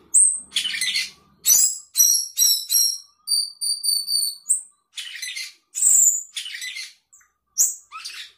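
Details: Sooty-headed bulbul in a varied, chatty fill-in song: sharp high whistles, harsh scratchy bursts, a steady series of thin piping tones, and more abrupt rising whistles.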